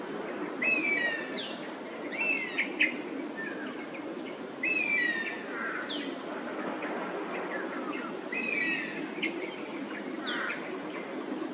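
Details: Perched Oriental honey buzzard in Singapore protesting at Oriental pied hornbills in its roosting place, while its companion circles overhead. Four series of high, falling whistled notes, roughly every two seconds, mixed with scattered sharp calls and constant ambient noise.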